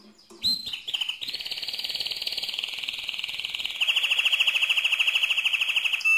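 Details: Mosaic canary song, strongly delivered: a few sharp chips and a whistle, then a long fast trill at high pitch that steps down into a louder, coarser pulsed tour.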